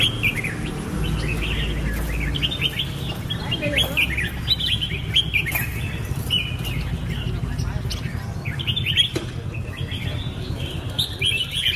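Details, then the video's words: Red-whiskered bulbul song: cheerful, rolling whistled phrases in quick succession with a few sharp clicks, over a low continuous background rumble. "Birds Red-whiskered bulbul (Pycnonotus jocosus) Chants Extreme Peak"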